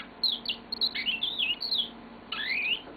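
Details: Yellow-fronted canary kept as a pet indoors, singing high, warbled whistles in quick phrases that end in a clear rising slur.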